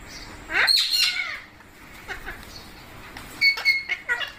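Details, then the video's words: Indian pet parrots, said to include babies, being fed rice and milk indoors: two bursts of harsh, harmonic squawks with rising and falling strokes, separated by a quieter gap with faint background sound. "Parrot Natural Sounds Compilation | Parrot Sounds |Baby Parrot Sound"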